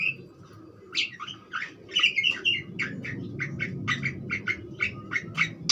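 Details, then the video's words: Budgerigar chattering in a string of short, scratchy chirps, evenly repeated about three times per second after a few louder opening notes. A low background hum is present. "suara burung parkit joss"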